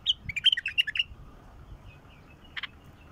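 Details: A mature (mukhallaf) bulbul sings to stir a silent bulbul into song. It gives a rapid run of about eight clear, chirpy whistled notes in one second, then one short twitter after a pause, over a faint low rumble.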